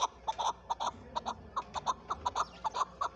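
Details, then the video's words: Chukar partridge, called chakor in Pakistan where it is the national bird, giving rapid paired clucks in a steady chuckling rhythm against a constant low hum. "chakor ki awaz zark awaz"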